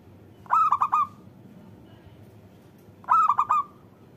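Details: Local zebra dove, used to lure reluctant doves into singing: two short cooing phrases, each of four quick rolling notes with the last drawn out, about two and a half seconds apart, over a faint low hum.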